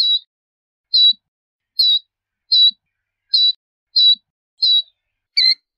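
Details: Killdeer uttering short, high, sharp call notes repeated roughly every three-quarters of a second, eight in all, with quiet faint ticks between them.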